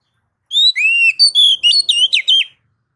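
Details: Ngeplong song of a kacer (oriental magpie-robin), meant to get other kacer singing. One loud, clean two-second phrase: rising and falling whistled glides followed by several quick slurred whistles. No other sounds.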